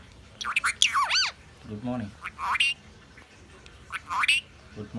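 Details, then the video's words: Talking parrot in Sri Lanka saying "My name is" followed by a name, in squawky, speech-like phrases with sweeping whistled inflections, a lower voiced segment between, and a pause before a final rising phrase. "Talking parrot srilanka"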